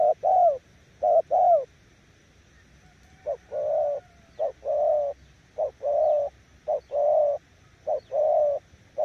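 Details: Spotted dove from Kon Tum, Vietnam, giving repeated low coos in pairs, each short clipped note followed by a longer throaty rolling coo, with brief pauses between phrases.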